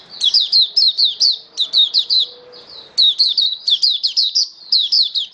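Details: Mata puteh, the oriental white-eye, a hobby songbird recorded 21 October 2022 performing 'buka sing raja' song: continuous high-pitched chirp bursts, quick downslurred notes strung in fast runs with a brief quieter gap midway.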